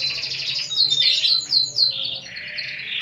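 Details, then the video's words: Canary singing with a unique cengkok (song phrasing), considered pleasant to hear: dense high trilling with a run of rapid sharp descending notes, then a lower buzzy trill to the end. "Burung Kenari Gacor Cengkok Unik"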